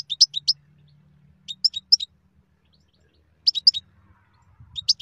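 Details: European goldfinch uttering repeated clusters of three or four bright, tinkling chirps about every one and a half seconds, high and liquid, with a soft low hum and faint rustling beneath.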